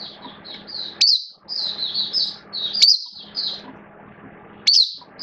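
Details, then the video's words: Mata puteh, a hobby-kept oriental white-eye in buka singing: soft, high warbled notes broken by three loud, sharp upswept chirps about every two seconds, with a low hum underneath. "Mata Puteh Kitaro Buka Sing"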